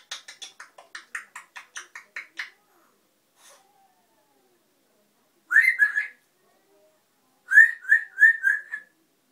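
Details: A noisy pet African grey parrot makes a quick string of dry clicking notes, then pauses before two groups of rapid, whistled, warbling notes, the last a run of four or five similar short whistles.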